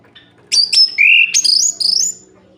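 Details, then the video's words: Short orange-headed thrush phrase, aimed at provoking other males at night: two sharp high notes, a steady mid whistle, then a stepping series of rising bright whistles over faint low tones. "Suara Ini Bikin Gerah Anis Merah Lain"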